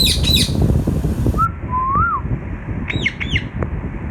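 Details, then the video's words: Baby Indian ringneck parakeet, a green pet bird, giving harsh, layered squawks, then a soft, rising-and-falling whistle, and two sharp, downward-curving calls near the end, over low rumbling background noise. "Indian Ringneck Parrot Talking natural sounds | Bolne Wala Tota | Green Ringneck Parrot Sounds"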